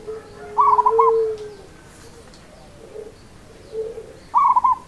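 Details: Local zebra dove singing in the seni irama rhythm style: short staccato cooing bursts, a longer steady lower coo, then softer notes and another quick burst, with faint background hiss.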